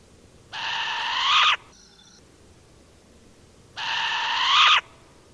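Short-eared Owl giving two harsh, wheezy screeches, each about a second long and swelling toward the end, about three seconds apart.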